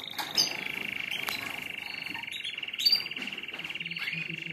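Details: Canaries singing together to stimulate other birds: a steady fast trill running throughout, with short chirps and whistles over a noisy background.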